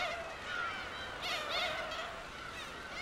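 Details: A female black-tailed gull gives a begging call, repeated plaintive nasal mewing, asking a male for food before mating. It is May on Hongdo, an uninhabited Korean breeding island, with overlapping calls and a busy colony chorus behind.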